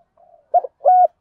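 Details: Spotted dove acting as a decoy, cooing to entice wild doves. A faint low murmur leads into a broken double note and then a clear, even coo, cut short at the end.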